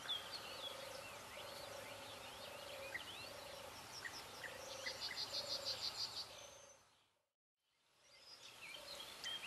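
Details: European bee-eaters in South Moravia, Czech Republic: many short, high, liquid chirping calls overlapping from several birds, dense around the fifth to sixth second, over a steady low pulsing note in the background; a brief silent gap near the end.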